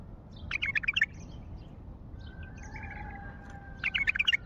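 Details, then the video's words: Wild common bulbul from Baghdad singing: two short bursts of bubbly, warbled notes separated by a gap with a thin, steady whistled tone, all over a constant low rumble of background noise. "تغريد بلبل وحشي بغدادي"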